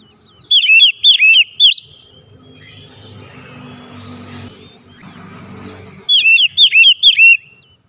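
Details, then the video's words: Kacer (white-rumped shama) song: short bursts of ringing, flicking whistles at the start and end, with a stretch of low rumbling background noise in between. "1 jam terapi bikin gacor Kacer malas bunyi jadi rajin bunyi tiap hari"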